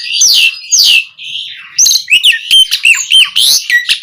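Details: Asian pied starling song used to stir caged birds into singing: loud, varied phrases of sharp descending whistles and buzzy notes, fast rasping bursts and quick chattering notes in a dense, jumbled sequence.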